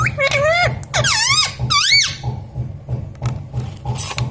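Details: Pet parrot saying words like mummy and mithu: three rapid, high, swooping syllables in the first two seconds, then quiet with soft clicks. A rhythmic low hum runs throughout.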